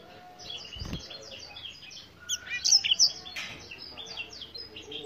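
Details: Black-throated canary, originally from Africa, singing a scattered series of high whistled and buzzy notes with rising and falling slurs, broken by a low thump and some background noise.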